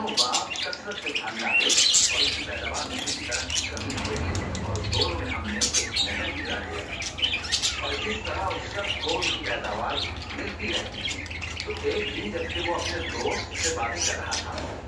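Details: Budgerigars showing mating signs chatter in a fast, busy stream of chirps and squeaky warbles, a mating call.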